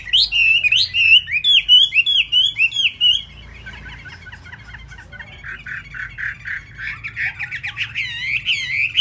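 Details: Caged Chinese hwamei from Vietnam, singing with fast beak speed while its plumage is not yet dry: loud rapid bursts of whistled, slurred notes, a pause of quieter warbling, then another run of quick repeated phrases.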